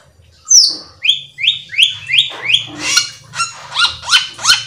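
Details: Cucak keling singing to coax others to respond: a run of clear downward-sliding whistles about every half second, followed by harsher rising chip notes over a low background hum.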